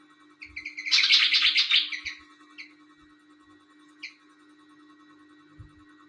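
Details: Pied fantail in lively night song: a dense, buzzy, chattering burst of high notes lasting about a second, framed by short squeaky notes before and after, over a constant low hum with scattered soft knocks.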